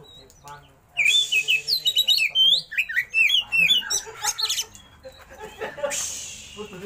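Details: Oriental magpie-robin kept in a cage, giving a varied rolling song: a long lively string of loud whistled, slurred and chattering notes lasting about four seconds, followed by softer calls and a brief hiss.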